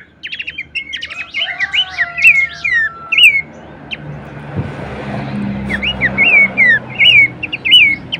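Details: Horsfield's babbler song used as training material for competition songbirds: clear whistled notes, sharply rising then falling, repeated in short phrases with quick chattering bursts, pausing midway under a soft hiss, then resuming.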